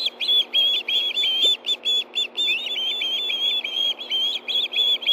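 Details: Osprey pair calling for food at a Montana nest in Hellgate Canyon, September 2013, around 7:39 p.m. as one bird gets a fish. Continuous run of piercing, chirping whistles, rapid and slightly uneven.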